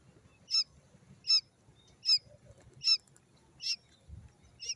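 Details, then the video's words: A quail chick gives high, thin, piercing peeps, chick-like but smaller, about every three-quarters of a second, six in all, over a low background rumble. "Suara Anak Puyuh / Quail Chick's Sound"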